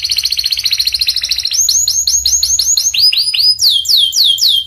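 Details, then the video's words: Canary of the panda type in energetic song. A fast buzzy trill gives way to slower, looping downswept whistled notes, about three per second, with a faint low hum beneath. "Kenari panda gacor"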